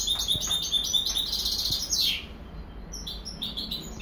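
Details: A European goldfinch hybrid gives quick, sharp chirps building into a buzzy trill that slides downward. After a short gap, a few thin, high twitters follow.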